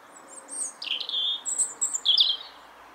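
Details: Bird song of clear high whistled notes, a drawn-out falling whistle followed by shorter sharp chirps and a final bright flourish, in a quiet setting.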